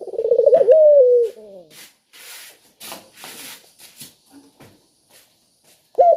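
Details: Spotted dove lure call: one bubbling, stuttered phrase ending in a long slurred falling note, followed by rubbing and scraping handling noises. Another phrase begins at the end.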